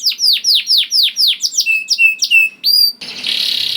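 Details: Juvenile canary song used to prompt other canaries to sing: about a dozen loud, clear down-swept whistles repeated rapidly, ending in a brief burst of hissing, buzzy noise.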